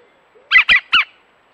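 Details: European green woodpecker at a nature reserve, filmed close by a wildlife camera: three loud, harsh squawking notes in quick succession, each rough and broad, spaced about a fifth of a second apart, against a quiet background.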